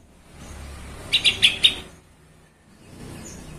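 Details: Lure recording of a sooty-headed bulbul meant to provoke rival bulbuls into excited singing: one brisk phrase of four clipped, bright notes in about half a second, set against soft steady background rumble.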